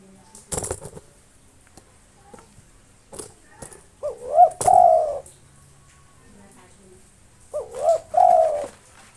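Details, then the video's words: Local spotted dove, a long-breathed nonstop singer used to call out rival birds, gives two mellow cooing phrases about 3.5 seconds apart, each a quick double coo then a drawn coo, after opening clicks, knocks and handling noises. "SUARA BURUNG TEKUKUR LOKAL NAFAS PANJANG GACOR NONSTOP MANGGUNG 7 MENIT COCOK UNTUK MANGGIL LAWAN"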